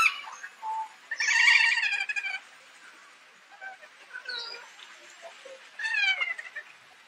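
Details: Kea seen close up, giving harsh, nasal, wavering calls a bit like a horse neighing: one loud drawn-out squealing call early on, softer fragments in the middle, then another shorter wavering squeal near the end.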